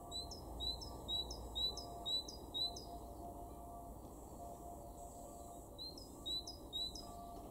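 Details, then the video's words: Great tit heard in a garden at Weener, East Frisia, Germany, in March 2023: a steady series of six high, thin whistled notes each ending in an upward flick, a pause, then four more in the same rhythm. "great tit 0:00"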